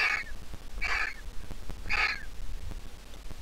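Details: A well-grown griffon vulture nestling, hatched 20 April 2023, still squeaks: three harsh, wheezy squeaks about a second apart, each brief and high, over a low background rumble.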